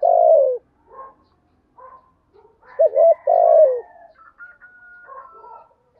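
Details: 'Thổ'-voiced spotted dove giving 'thúc gù' coos, a recording for training decoy doves and luring: a long descending coo, soft mutters, then two clipped notes and a drawn-out falling coo, with thin high whistles and chirps from other birds behind.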